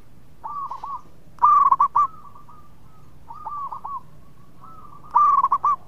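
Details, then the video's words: Local zebra dove, a melodious singer meant to invite others to sing, gives loud stuttering coo phrases twice, alternating with softer, rhythmic rolling coos from more distant doves. "PERKUTUT LOKAL GACOR SUARA MERDU TUKANG PENGUNDANG BUNYI"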